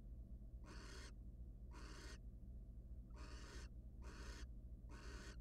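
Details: Wild barn owls in a monitored nest box as the male stops by his mate with prey for a short rest; five harsh, breathy hissing screeches, each about half a second, repeated roughly every second over a steady low electrical hum.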